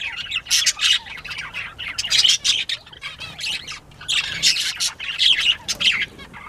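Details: Several Northern bobwhites calling at once in harsh, high, overlapping bursts of chatter and squawks with brief pauses between flurries; recorded 19 April 2017 at 10:13 AM.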